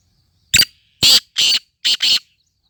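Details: Black francolin calling: five harsh, grating notes, given as a single note, then a pair, then another close pair, in a clear rhythmic phrase against silence.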